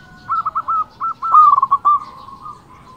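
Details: Local zebra dove singing to provoke rivals: a few short even coos, then a loud rapid stuttering run of clipped notes that fades into a soft sustained tone, other doves cooing faintly in the background.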